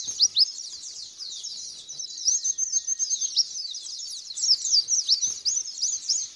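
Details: A white-eye sings a fast, continuous stream of high, thin twittering notes with quick rising and falling slurs, barely pausing, used as a lure call to get other white-eyes singing.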